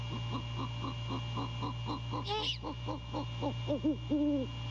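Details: Great horned owl at a nest at night on 15 January 2022, male calling to his mate during courting: a rapid run of short low hoots, one harsh rasping screech midway, then longer drawn hoots, over a steady electrical hum.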